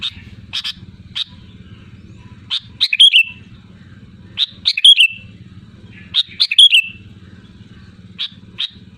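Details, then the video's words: Sooty-headed bulbul calling to challenge rivals: repeated bursts of clear whistled notes, each ending in a slurred flourish, about every two seconds, with single chirps between and a throbbing low motor drone beneath. "SUARA ASLI BURUNG KUTILANG GACOR LANTANG MEMANGGIL LAWAN"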